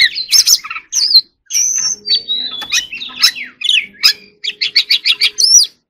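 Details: Oriental magpie-robin singing a rapid, varied song: scratchy chatters and bright whistled notes, then a run of six quick repeated chirps near the end, with short pauses and a faint low steady hum.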